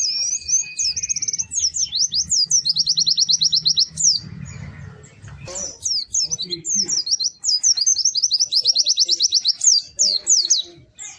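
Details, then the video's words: Loud, melodious pleci (white-eye) song: fast, high-pitched twittering trills and sharp slurred notes pour out almost continuously. A brief low rumbling noise and faint voices appear near the middle. "Kicau Burung PLECI GACOR MERDU"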